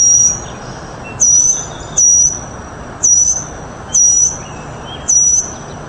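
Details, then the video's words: Mockingbird singing a series of high, thin whistled notes, each held steady with a brief upward flick, repeated roughly every second over a soft steady background hiss. "Best Mockingbird"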